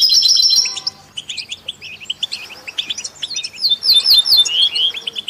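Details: European goldfinch, kept alongside canaries and mules, song meant to inspire other songbirds: a bright trill, then varied chirps and short slurred notes, rising into a lively liquid warble near the end.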